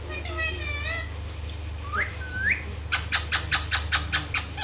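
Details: Indian ringneck parrot calling: a wavering harmonic trill, two rising whistled notes, then a rapid series of sharp screeching squawks repeated about three times a second, with a steady low hum underneath.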